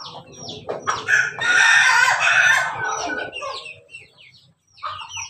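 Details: Crossbred rooster of Pelung, Bangkok and Ketawa lines mixed with Jogja chicken, giving one long, loud, harsh crow of about two and a half seconds that swells and then fades. Softer clucks and chirps from other fowl sound around it.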